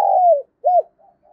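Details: Spotted dove calling as a lure for wild doves: a long coo drifting downward, a short pause, then a brief rounded coo, with faint soft notes trailing after.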